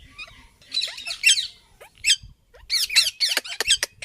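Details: Indian ringneck parakeet making noise: loud, harsh screeching squawks in uneven bursts, a gap near the middle, then a dense run of sharp shrill calls.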